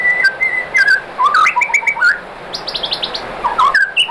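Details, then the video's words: Provoking song of a white-rumped shama, meant to spur rival shamas to answer: clear whistled notes, rising slurs and a rapid high buzzy trill, varied phrases delivered continuously. "bikin MURAI BATU jadi NYAUT GACOR BONGKAR MATERI ¦ PANCINGAN MURAI ¦ SHAMA BIRD"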